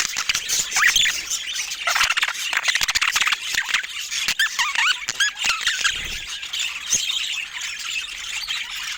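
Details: Budgerigars keep up a busy stream of squeaky, buzzy chirps and short warbles, with frequent sharp clicking sounds layered through the chatter.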